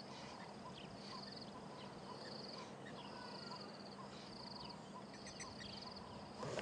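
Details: Red-billed buffalo weaver chicks inside a nest a few metres above a waterhole camera keep up an almost permanent high chittering chatter, with bright repeated bursts over insects and soft rural noise; an adult is nearby.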